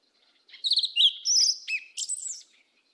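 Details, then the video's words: Black yellow-legged thrush singing 'mateiro do sul' style: one rich phrase of high trilled notes, a sustained bright whistle and downslurred squeaky notes, rising then falling, with silence before and after. "SABIÁ UNA PRETA CANTO MATEIRO DO SUL"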